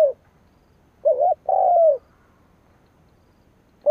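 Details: Spotted dove decoy cooing to lure and provoke rival males: one complete phrase of a short quavering note and a long smooth descending coo, with clipped fragments of other phrases at the start and end.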